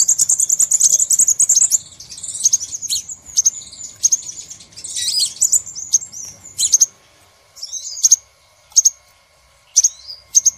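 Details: A crimson sunbird's lure call used to attract the species: very high, thin, rapid twittering, then scattered sharp, metallic chips roughly a second apart.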